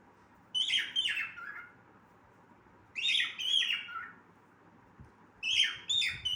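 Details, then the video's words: Pet cockatiel singing: three bursts of bright, warbling whistled phrases with chattering notes, each lasting about a second and spaced roughly every two to three seconds, over a faint steady low hum. "coctail parrot singing"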